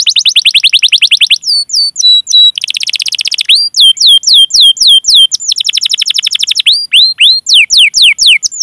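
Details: Rolling canary song used to coax other canaries into singing: alternating blocks of fast buzzy trills and clear whistled upslurred and downslurred notes, switching tempo every second or two.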